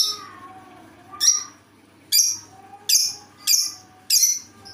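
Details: Lovebird with a strange voice: five harsh, high squawks with sharp onsets, spaced about half a second to a second apart. Soft lower tonal notes sound between them.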